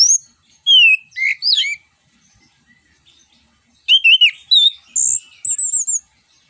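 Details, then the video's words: Orange-headed thrush delivering ngeplong song to prompt other birds to sing: a varied phrase of descending whistles and quick chirps, a short pause, then a louder sequence of wavering, very high whistled notes and trills. "ANIS KEMBANG NGEPLONG UNTUK PANCINGAN"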